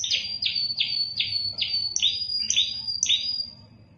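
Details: Spanish timbrado canary, a kept bird in Indonesia, delivering a series of clipped falling notes about two to three per second under a thin steady whistle, fading at the end.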